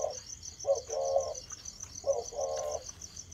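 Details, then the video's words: Spotted dove starting to coo: two deep, mellow phrases, each a short note then a sustained hollow coo. Behind them runs a rhythmic high insect chorus. "chim cu gáy thổ bắt đầu Bảo gù"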